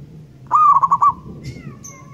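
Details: Local wild zebra dove singing, used as a lure: a single phrase of a rising coo followed by four quick rolling pulsed notes on one low pitch. A short whistled call from another bird follows.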